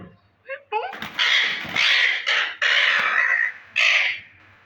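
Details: Pet Indian green ringneck parakeet talking in Urdu indoors, a run of loud, harsh, speech-like phrases, several sustained bursts separated by short pauses, a few softer notes at the start.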